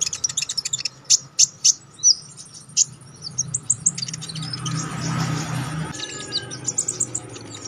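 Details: Lively, sharp konin songbird song used to train contest birds. Spaced bright high notes and chirps continue beneath a brief rush of broad noise midway, with a low rumble in the background.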